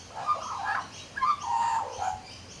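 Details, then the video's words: Male magpie, a regular visitor sitting on a back deck and chatting to himself, gives a run of warbled, slurred notes near one pitch, with a brief pause before a longer fluty phrase. "Magpie Chatting"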